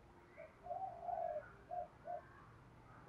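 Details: Quiet, distant cooing from a spotted dove calling to wild doves: a brief coo, a drawn-out wavering coo, then two short coos, over faint background hum and ending in a sharp click.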